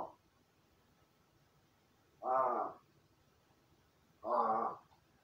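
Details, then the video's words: Crow in its indoor room practising calls after playing alone; two drawn-out, hoarse, roaring caws about two seconds apart, each rich in harmonics, with a low steady hum behind. "一人遊びの後 鳴き声と喋る練習"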